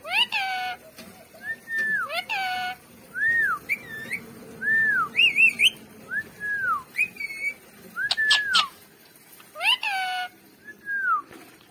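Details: Pet green parrot giving a series of clear whistled notes, many slurred down or rising, some with rich harmonic buzzy calls, spaced about a second apart, with faint music in the background.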